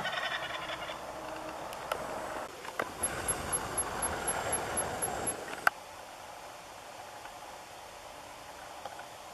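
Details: A very vocal jake (young male) wild turkey gobbles in a loud, rapid, rattling burst of about three seconds on a morning hunt in New Brunswick, Canada, followed by quiet outdoor background and a sharp click.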